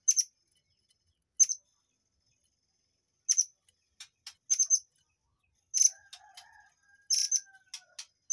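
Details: Murai air song bursts, known as tembakan, used as a tutor recording for white-rumped shamas: sharp, very high chips and short buzzy doublets spaced a second or more apart, with a faint thin whistle and soft warbling beneath.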